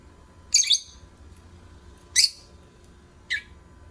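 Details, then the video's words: Lovebird singing in three separate shrill, scratchy, high chirps about a second or more apart, the last one shorter and thinner, with a faint low hum behind. "Love Birds Singing"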